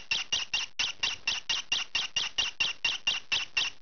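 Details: Young green pied peach-faced lovebird, kept indoors, calling noisily while scratching: harsh, buzzy squawks repeated steadily, about four per second, around sixteen in a row.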